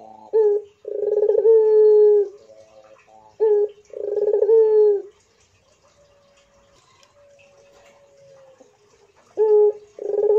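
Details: Barbary dove of the pelung type cooing: three drawn-out phrases, each a short note, a rolled burr, then a long steady tone, with a quiet pause and a faint thin tone between them.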